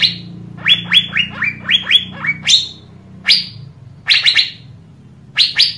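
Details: Asian fairy-bluebird in recorded song used to get other birds singing: a quick run of about seven bright upslurred whistled notes, then several louder sharp double whit-like calls, over a low steady hum.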